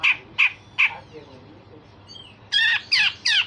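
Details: Grey-cheeked bulbul in song, used to tutor other songbirds, with coarse rasps and sharp notes: three harsh clipped bursts, a quiet gap with a faint whistle, then three louder buzzy chattering phrases.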